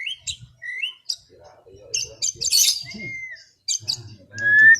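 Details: White-rumped shama, afternoon 'ngeplong' song sung relaxed: scattered short whistles and chips, a harsh noisy burst, a clean downslurred whistle and a final rising whistle, with soft low background noise.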